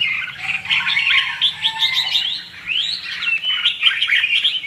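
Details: Red-whiskered bulbul singing as a trapping decoy in the 'hót ché' style: lively chattering phrases mixing short chirps with rising and falling slurred whistles, almost unbroken.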